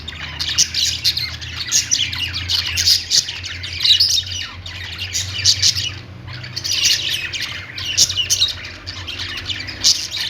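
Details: Pet budgerigars, kept as the owner's birds, chattering in a busy flock: dense, scratchy chirps and warbles in bursts of about two seconds, separated by short lulls, with a faint low hum underneath.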